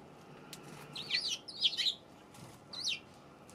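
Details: Eurasian tree sparrow recorded on 7 February: a quick cluster of bright, wavering chirps, followed after a pause by one more chirp, over a steady low background hum.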